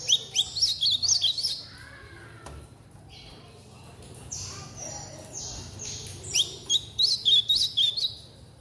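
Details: Home-bred Chestnut-bellied seedeater chick giving a blue-black grosbeak-style song, two phrases of fast, high, sweet notes, roughly four a second, with a quieter stretch of faint rustling between them.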